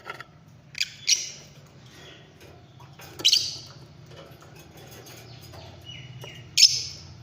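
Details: Fischer's lovebirds singing: short, harsh, high-pitched shrieks spaced a few seconds apart, with a faint thinner whistled note between them over a low steady background hum.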